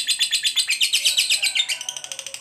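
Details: Lovebird, a fighter-type bird, giving its long continuous ngekek trill used to provoke other lovebirds: a rapid, high, buzzy chatter of about twelve pulsing notes per second that slows into sharper separate clicks near the end.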